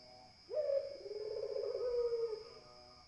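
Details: Barbary dove producing a single drawn-out coo, a sudden rising start followed by a long, vibrating, gently falling tone of about two seconds, with a faint high hum behind.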